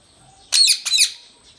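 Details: Pet Indian ringneck parrot, a talking bird: two loud, harsh, raspy squawks in quick succession, each about a quarter second long, in a quiet indoor room.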